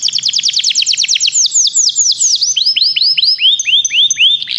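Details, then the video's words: Canary singing for song training: rapid rolling trills of falling high notes, slowing into longer swooping descending phrases repeated about every third of a second, loud and clean with little background. "Canários Begie cantam muito"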